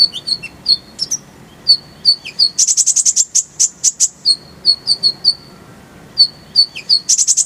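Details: Oriental white-eye (konin) tutor song for training songbirds, paired in the recording with a sunbird called kolibri ninja: rapid high thin chirps, with short clear notes alternating with bursts of bright, sharp, very high repeated notes; faint low background rumble.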